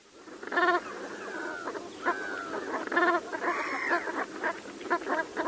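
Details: Brant goose giving short, rough, stacked honking calls, several in quick rattling bursts, with softer overlapping chatter and a few thin rising notes between them.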